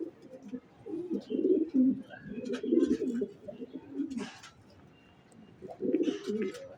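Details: Racing pigeons cooing in long, rolling murmurs, then a quieter stretch with a soft rustle, before another burst of deep coos.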